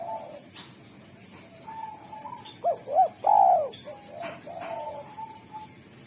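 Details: Spotted dove, derkuku singer praised for a clear sweet voice that calls in wild doves: level soft coos building to two arched hoots and a loud sliding coo, with high chirps of other birds.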